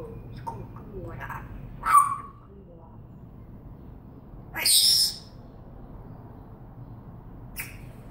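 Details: Pet African grey parrot whistling and talking indoors: a short pure whistle near two seconds, a higher bright whistled note around five seconds, and a brief chirp near the end, with soft voice-like murmurs between them.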